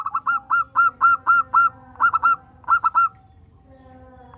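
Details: Local zebra dove song used to prompt other zebra doves to sing: rapid runs of short, bright cooing notes in quick bursts, pausing briefly then resuming, with a faint low hum underneath.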